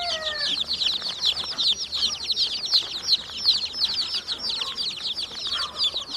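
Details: Chorus of domestic chicken chicks, a hen's brood, peeping steadily: rapid overlapping high chirps, roughly three per second, with faint lower sweeping sounds at the start.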